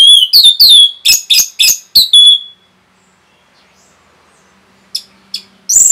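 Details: Orange-headed thrush fast 'rapet' song used to agitate other birds: a quick series of loud slurred high whistles about three per second for over two seconds, then quiet, a few sharp notes and a loud burst.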